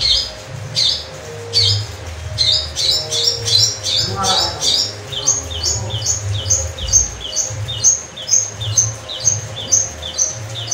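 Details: Long-tailed shrike in lively song: long sequences of quick, high chirping notes repeated in steady rhythm, shifting pitch between phrases, with a faint low hum and a brief lower sweep midway.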